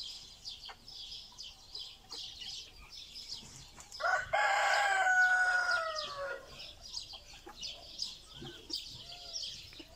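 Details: Brahma ornamental chicken, Gold Zibrit variety, 2020 flock in Istanbul, Turkey; one loud crow lasting about two seconds, harsh and drawn out with a falling tail, over steady background chatter and clucking.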